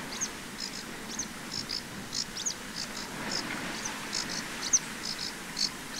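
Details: Common linnet (Linaria cannabina), male and female, in spring on 11 April 2023 in a regional nature reserve in Pays de la Loire, France. Short, high twittering notes come about twice a second, faint against steady hiss.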